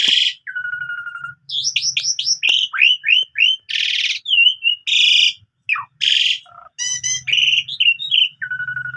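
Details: Morning song of an Asian pied starling, varied with mimicked phrases: a harsh buzz, a low steady whistle, repeated up-slurred notes, more rasping bursts and bright piping calls, with a faint low hum in places.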